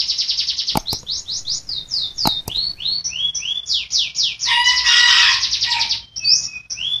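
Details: Rolling canary song meant as a model for caged birds that fail to sing: rapid high swept notes in quick runs, a dense buzzing trill midway, then varied whistles, with a few sharp clicks.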